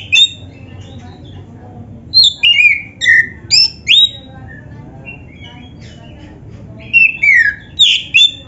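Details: Black-chested Oriental magpie-robin (kacer) singing for training other kacer: loud clear whistled phrases, sliding downward and upward, in bursts of five and then four notes with short pauses, over a low background hum.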